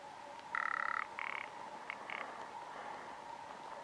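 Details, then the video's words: A Rock ptarmigan in courtship display at Øksfjord gives a dry, rattling croak in a half-second burst, then three shorter grating notes, over a steady background hum. "Balz Alpenschneehuhn"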